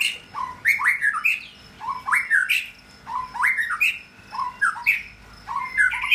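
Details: White-rumped shama male in his second moult, soon entering his third, singing a repeated phrase about every 1.5 seconds: a low whistle sliding up into rising, slurred notes, capped by sharp clicking ticks. Faint background hum.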